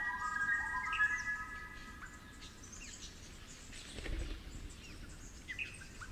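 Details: 'Flute lyrebird' (Superb Lyrebird) of the Werrikimbe Wilderness, New South Wales, in cool damp forest. The clip opens with clear, sustained flute-like whistled tones in a layered, melodic phrase, then fades to quieter forest with faint distant chirps.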